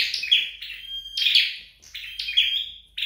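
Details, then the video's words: Red-headed flowerpecker in home training, giving three phrases of high, harsh chatter, each ending in a level, thin whistled tone. "Dợt Sâu Đầu Đỏ Tại Nhà"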